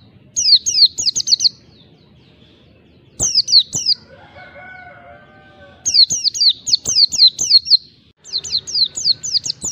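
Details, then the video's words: Oriental white-eye in wild-style rival-provoking song: bursts of rapid, high, thin downslurred whistles, separated by pauses, with a brief lower harmonic warbling sound in one gap and steady low hum beneath. "Pleci Ngalas Cari Lawan, Awas!!! pleci anda Emosi Bongkar Isian"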